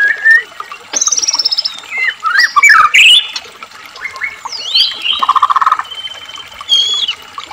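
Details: Bait song from a white-rumped shama to stir captive shamas into singing: sweeping whistles, high rapid trills and a buzzy churring phrase in a lively, irregular sequence.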